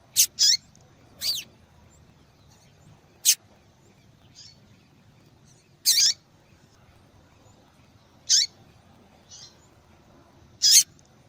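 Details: Yellow-bellied seedeater female calling to stimulate a male's song: high, sharp chips and short falling notes repeated irregularly, roughly every one to two seconds, with faint softer notes in the gaps.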